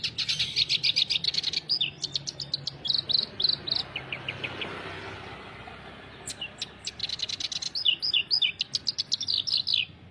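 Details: Clamorous reed warbler in full, lively song: rapid rattling bursts of harsh clipped notes, a softer pause in the middle, then renewed chattering runs of scratchy squeaks; a faint insect-like background hiss.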